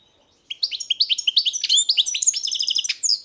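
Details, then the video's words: Goldfinch singing after a short silence: bright, tinkling twitters with short upward-slurred notes, then denser buzzy trills, delivered rapidly and unevenly for nearly three seconds. "Pesma štiglića, češljugara"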